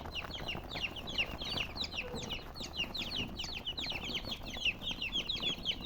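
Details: Shrill chorus of color chickens: bright, rapid, falling chirps from many birds at once, loud and unbroken throughout.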